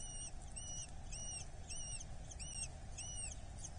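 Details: At a Dorset nest on 8 July 2024, a Eurasian hobby chick being fed: about six high, bent squealing notes spaced half a second apart against a steady low background hum.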